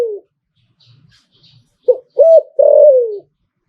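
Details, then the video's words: Spotted dove owned as a cooing bird, liu-tan style. The tail of a falling coo, a short quiet gap with faint rustles, then a clipped opening note, a short arched note and a long steady coo gliding down. "หลิ่วตันตลอด Thai dove"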